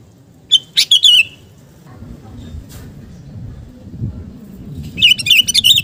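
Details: Kutilang garuda (sooty-headed bulbul) in gacor song used to raise fighting spirit: a rapid bubbly phrase, a few seconds of low rumbling background, then a longer run of quick warbling notes.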